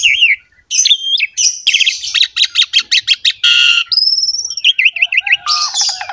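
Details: Asian pied starling song used as a master recording to coax a reluctant caged bird: wavering whistles, a string of harsh rasping pulses, a long level whistle and a run of quick zigzag notes.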